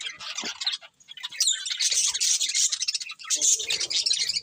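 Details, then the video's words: A breeding pair of colourful budgerigars in busy high-pitched chatter: quick twittering notes, a rising whistled slide near the middle, and steady scratchy warbling through to the end. "Colourful Budgies Chirping Sounds"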